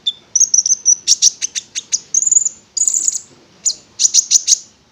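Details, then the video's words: Prinia, called konin locally, heard in a lure meant to make it sing: a rapid trill, then loud repeated high chirps and long buzzy reeling phrases at a steady pace. "Pancingan Konin Agar Bunyi"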